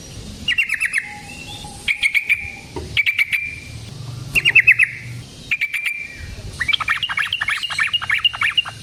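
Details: Yellow-vented bulbul fighting song as a lure: several short rapid rattling bursts separated by brief gaps, a faint low hum in the background, ending in a longer busy chatter of quick notes.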